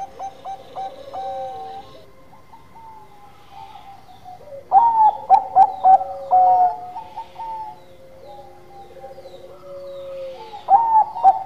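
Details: Bangkok-type zebra dove singing energetically: soft repeated coos early, then a loud phrase of five quick clipped notes midway and another beginning at the close, with level tones between.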